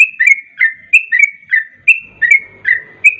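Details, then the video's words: Fast 'garuda ropel' lure song of the sooty-headed bulbul: brisk, liquid whistled notes, several per second, alternating higher and lower slurs in a bouncing, repeated phrase. "Pancingan trucuk garuda ropel,pancingan trucuk cepat garuda"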